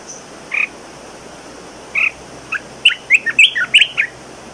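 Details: Red-whiskered bulbul singing: two short, bright whistled notes spaced apart, then a quick burst of varied warbled and chirped phrases. The background is otherwise quiet.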